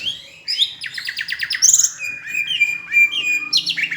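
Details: Palembang greater green leafbird delivering tutor song with Asian brown flycatcher mimicry: a rapid series of descending chirps, then a high squeal and sustained warbling whistles over a faint low hum.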